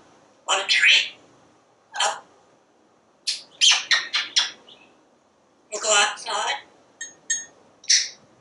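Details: Chattering pet parrot on a screen back porch, watching squirrels and birds: a run of clipped, rasping word-like syllables in uneven clusters, some quick and repeated, ending in sharp short notes.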